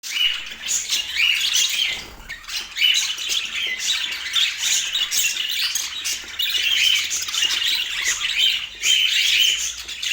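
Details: Pet budgerigars in Portland chattering continuously, a dense stream of scratchy squawks, short chirps and bright whistled notes in overlapping bursts, rising and falling in loudness with brief pauses near two and six seconds.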